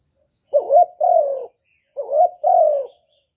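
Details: Spotted dove cooing in two phrases: each a short, mellow rising coo followed by a longer, level then gently falling coo, low-pitched, with about half a second of silence between phrases. Quiet background.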